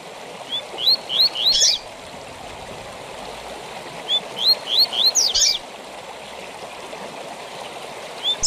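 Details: Double-collared seedeater, tui tui zel zel song used to train captive birds: a short string of climbing whistles ending in a tangle of high sweeps, heard twice, with a long pause and constant watery rushing noise.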